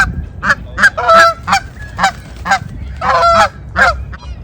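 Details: Canada geese in the wild, honking loudly during a chase on a snowy winter day: rapid, irregular, harsh honks, some with a sharper whistled edge, over steady low-pitched background rumble.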